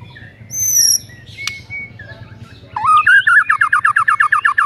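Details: White-rumped shama lure song in the 'tembakan rapet' style for provoking a lazy shama: scattered high whistles over a low background hum, then a fast, even trill of about a dozen sharp repeated notes.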